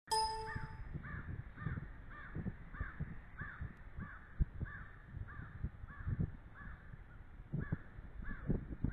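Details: Female bald eagle on duty at the nest incubating and caring for eggs, live nest camera, 19 February 2013, 11:45 am; a steady series of short arched, slightly squealing notes repeats about twice a second over low rustling and wind rumble.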